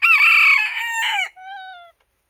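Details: Japanese bantam rooster, katsura or ginsasa variety, heard mid-crow: a loud rasping held note that drops, a short slurred syllable, then a softer, cleaner descending tail note after a tiny gap.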